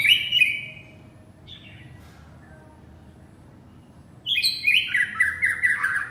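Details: A male white-rumped shama calls to its partner: a loud whistled phrase, a short note, then a near-silent pause before a quick, energetic burst of descending whistled phrases.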